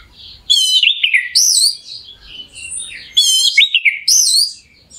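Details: Orange-headed thrush singing as a lure to excite another bird: two loud repeated phrases of buzzy harmonic notes sliding downward, separated by quieter twittering.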